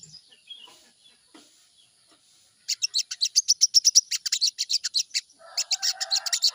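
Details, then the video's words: Morning lure recording of sooty-headed bulbul song: faint scattered sounds, then a burst of rapid, high, sharp chattering notes, a brief pause, and another chattering run with a lower buzzy hum beneath it. "pancingan burung sogon di pagi hari || pancingan sogon agar cepat bunyi"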